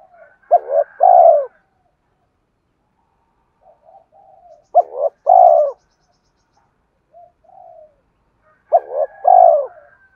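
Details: Spotted dove cooing played to draw in and rouse wild doves: paired throaty coos, the first short and clipped, the second drawn out, repeated about every four seconds with soft quiet notes in the gaps.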